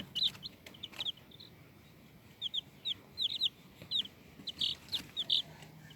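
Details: Chicks give scattered bursts of thin, high squeaky peeps, quiet at times and then in quick clusters, over low background hiss.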